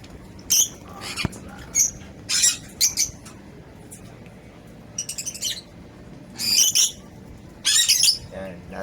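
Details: Colony of African lovebirds giving repeated piercing high squawks and chattering bursts at irregular intervals, some calls doubled, against a quiet background.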